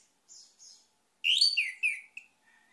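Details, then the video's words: Orange-headed thrush singing: faint high thin notes, then a loud burst of rich warbled whistles sliding down through several slurred phrases, ending in a short whistle and a soft trailing note. "ANIS MERAH MACET AUTO GACOR"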